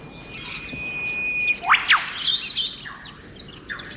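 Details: An Eastern Whipbird (Psophodes olivaceus) in the Australian bush, a bird that forages in dense cover, gives a long, thin, level whistle, then an explosive double whip-crack, followed by quick chirps over faint bush noise.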